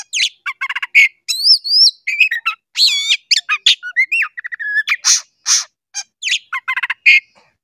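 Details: Oriental magpie-robin lure song for lazy or stressed caged birds: a dense, lively jumble of clicks, rising whistles, chirps and harsh noisy bursts, rarely pausing, varied from note to note.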